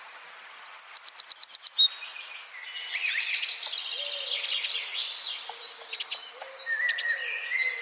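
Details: Songbird-training recording of wren song in the dense 'tembakan rapat' style: one fast burst of about nine piercing high notes, then quieter jumbled warbling with other calls behind.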